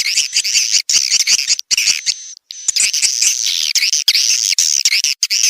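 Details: Edible-nest swiftlet calling sound played to attract swiftlets: sustained high twittering chatter in long, buzzy runs, broken by a few short pauses.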